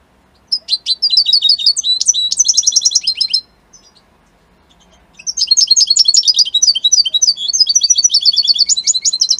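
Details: European goldfinch of Italian type, kept by a hobby breeder, singing a bright twittering song of rapid liquid chirps and trills, two bursts separated by a pause of about two seconds, in a quiet room.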